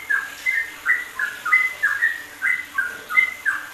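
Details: Yellow-vented bulbul song for training songbirds, recorded indoors: short bright whistled phrases repeated roughly twice a second, each slurring downward, over a faint background hiss.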